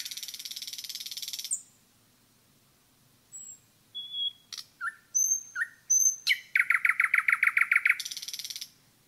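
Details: In the forest a common nightingale pours out a harsh rattling burst, then soft pure whistles and sharp notes, ending in a fast, evenly repeated chattering phrase.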